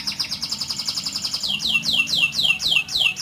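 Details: Canary's rolling song meant to teach other canaries, opening with a rapid high trill of tight repeated notes, then changing to slower, loud descending whistled sweeps about three per second.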